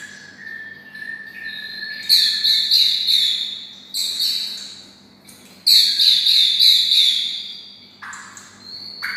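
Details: White-rumped shama kept close to red-whiskered bulbuls, copying bulbul song. A low whistled note opens, then two bursts of high, rapidly trilled, rattling phrases follow a short gap, ending with a sharp rising note. A faint hum runs throughout.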